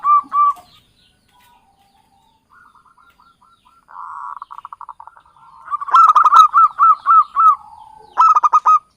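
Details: Trapping lure of a local Java zebra dove. Brief coos open, then quiet, faint stuttered notes build into a loud, rapid series of ringing coos. A last clipped burst closes the sequence.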